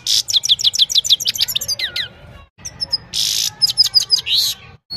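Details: Singing Himalayan goldfinch at evening, mobile phone recording: fast sequence of high descending chips, then a pause, followed by a harsh buzzy burst and a few sweet rising notes.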